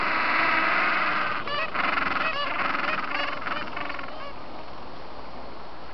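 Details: Gentoo penguins during mating in Antarctica, recorded 13 November 2014. A run of loud, rasping, honking brays pulses rapidly between about one and a half and four seconds. Beneath lies a constant wind and colony rumble, fading quieter toward the end.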